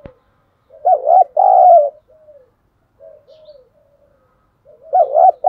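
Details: Caged decoy spotted dove calling to lure wild doves into a fight, in the 'giọng thổ' voice style. Low, mellow coos: a loud wavering double coo, then softer trailing notes, and the full phrase returning at the end. The background is quiet.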